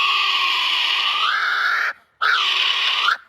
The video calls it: This is a kiwi. Here's what its call sounds like.